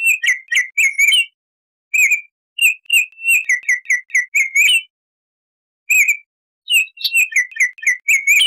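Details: Rich whistled song of a Baltimore oriole: a series of quick, mellow notes in two bursts separated by a short pause, with a clean, quiet background.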